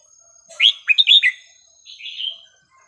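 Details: Red-whiskered bulbul giving one musical phrase of its varied song, used to teach young birds: a rising whistle followed by three quick warbled notes and a softer trailing warble.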